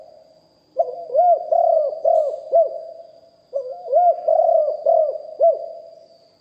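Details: Live recording of a spotted dove used as a decoy, big-voiced, in lio hoi style: two phrases of low hooting coos, each with a short lead note, longer swelling middle notes and a clipped rounded ending.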